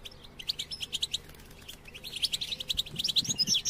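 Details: European goldfinch singing to motivate caged goldfinches: evenly spaced chirps at first, then a livelier run of rapid, liquid, twittering notes near the end.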